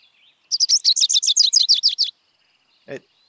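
Rufous-crowned Sparrow song: a fast, chattery, jumbled run of high notes over about a second and a half, then a single low click-like chip.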